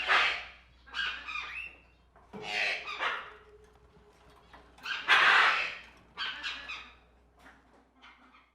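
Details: Pet shop tropical birds squawking and screeching in overlapping harsh bursts, several loud calls spread across the stretch, with a faint steady tone and low background hum in the room.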